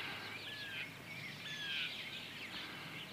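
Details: Chicks aged 20 days, a Partridge Cochin and Barred Rock cross, walking with their mother hen; high whistled peeps, some drawn out and slightly falling, overlap against a steady hiss of outdoor noise.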